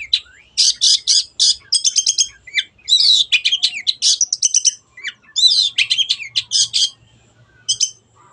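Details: Energetic Long-tailed shrike song, meant to coax quiet birds into singing: a long run of varied, shrill chattering bursts and whistled notes, with a few short gaps and a faint low hum.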